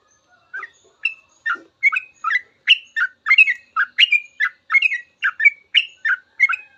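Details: Trucuk, the sooty-headed bulbul, in long ropel song used to train caged birds, giving a steady series of quick chattering notes that rise and fall, spaced under half a second apart, clean with no background noise.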